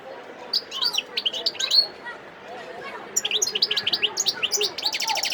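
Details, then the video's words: Wild European goldfinch singing at Sidi Bel Abbes, 17 December 2021: two bursts of rapid, high twittering and sharp chirped notes, separated by a brief quieter gap, ending in a fast buzzy run. "متع نفسك مع مقنين خلوي صوت ولا أروع"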